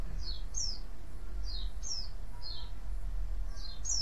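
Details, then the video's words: A white-eye gives crecetan-style chatter and chirps meant to draw other white-eyes into answering. High, thin, downslurred squeaky notes come in pairs and singles, about seven in four seconds, over a steady low rumble. "cuitan dan crecetan pleci ini ampuh memancing pleci lain nyaut"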